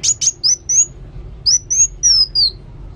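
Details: Lively song from a kolibri wulung sunbird, quick high-pitched whistled notes strung into two dense bursts, each note gliding down slightly at its end.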